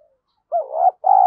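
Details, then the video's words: Short burst from a spotted dove decoy meant to provoke fighting: a soft trailing hoot, a pause, then a rising wavering coo note followed by a strong steady one, cut off abruptly. "Chim Cu Mồi Thúc Đấu , cu gay kich boi nhanh noi gù"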